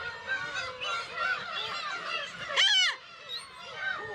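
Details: Black-tailed gull colony on Kabushima, Hachinohe, Aomori, Japan, 10 June 2020, chicks present, GoPro HERO8 recording; steady background of mewing calls, then one loud, close, downward-arched cry just past midway.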